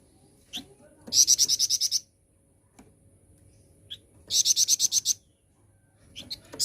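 A flowerpecker gives very high, thin bursts of about eight quick ticking notes, repeated every few seconds, with faint background hiss.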